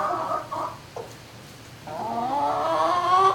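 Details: Night-time turkey calls inside a barn, 11 May 2018: two loud rough harmonic yelps and a short note, a brief lull, then a long rising, wavering call that grows steadily louder.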